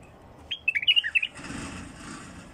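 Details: Wild bulbul giving a quick burst of bright, warbling chirps that rise and fall in short notes for under a second, followed by a soft hiss of background noise.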